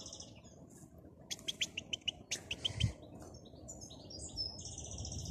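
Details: European goldfinch singing in the wild: a sharp run of evenly spaced high chirps, then quick twittering and liquid warbled phrases, over a steady low rumble of wind or background noise.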